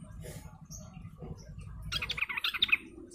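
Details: Lure recording of a sooty-headed bulbul group, known locally as ombyokan: a low background rumble gives way in the second half to a quick run of sharp, bright chirps that rises in loudness.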